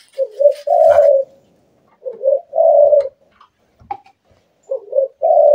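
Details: A kept Spotted Dove, recorded at night, its song prized as a lure by trappers: three low, mellow cooing phrases about two seconds apart, each a quick doubled note running into a longer, slightly rising coo.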